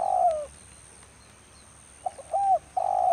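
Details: In rain, a spotted dove used as a trapping decoy ends one long falling croo, is silent, then gives clipped notes, a rounded coo and the start of another drawn-out croo.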